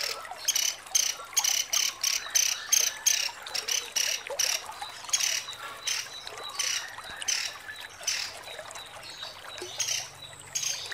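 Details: A female white-rumped shama in a tutor recording, giving long, sharp, high chattering bursts repeated two or three times a second.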